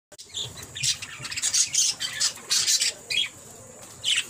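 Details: Six-month-old male pet parakeet, kept at home, playing: bursts of harsh, scratchy high squawks and chirps, roughly one per second, some quick and clipped, others longer and grating, with brief pauses between them.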